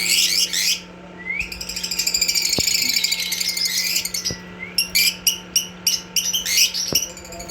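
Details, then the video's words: Black-masked lovebird singing, a high, scratchy twittering chatter with sharp chirps and squeaks toward the end, over a steady indoor electrical hum. "Black masked love bird singing sound"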